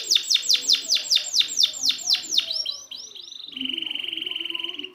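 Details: Canary practice song for birds that won't sing: a string of loud sweeping downslurs about three per second, then a fast, steady, even trill.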